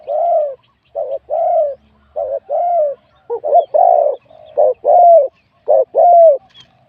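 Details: Wild-caught spotted dove in a singing competition, its voice graded medium-to-large. Low coos come in pairs, a short burst followed by a longer, smooth, slightly falling note, repeated about once a second, with faint background murmur.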